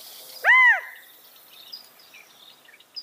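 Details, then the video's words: California quail giving one loud arched call note, rising then falling over a fraction of a second, followed by faint scattered high chirps from other birds in quiet surroundings. "California Quail Bird Sound, Bird Song, Bird Call, Bird Calling, Chirps"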